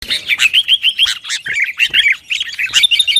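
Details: Sooty-headed bulbul in lively, noisy song played as a lure to provoke rivals and tutor kept birds: a dense, rapid string of short chirpy notes, roughly eight to nine per second, with brief bright accents throughout.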